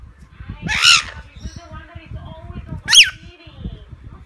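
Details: A lorikeet at play gives two loud, harsh, rasping screeches about two seconds apart over low rumbling and handling noise.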